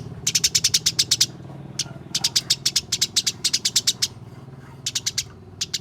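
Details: House sparrows fighting, recorded as a training track to make caged sparrows sing: rapid bursts of sharp, shrill chirps in quick runs of six to eight, separated by short pauses, over a faint low hum.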